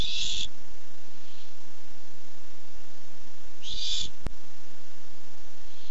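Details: Barn owl looking for food, recorded 8-7-15, giving two short raspy hissing screeches about three and a half seconds apart, with a faint softer hiss between them and a sharp click near the end.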